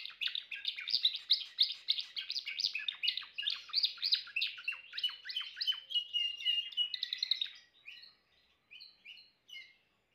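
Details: Timbrado canary performing a long, loud rolling trill of rapid repeated notes for about seven seconds, ending in a few softer, spaced chirps.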